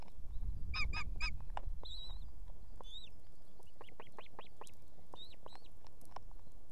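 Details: At a nest in Estonia, a female osprey beside her two chicks summons her mate to bring fish: clustered piping notes, then a long series of rising-falling whistled yelps, slightly slurred, over low rumbling wind.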